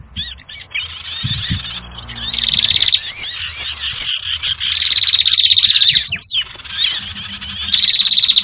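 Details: Sirtu bird lure call used by trappers: loud, fast buzzy trills in bursts about a second long, separated by softer twittering and brief upslurred whistles.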